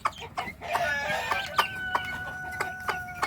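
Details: Hen calling her chicks to food: short repeated clucks with thin high chick peeps running through, in a noisy farmyard setting.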